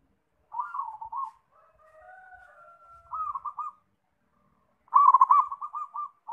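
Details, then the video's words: Zebra dove (perkutut), noted as singing readily, with short rolled coo phrases separated by faint, steady whistle-like tones, ending in a louder rapid burst of trilled cooing notes. "Anggungan gacor - langsung bunyi"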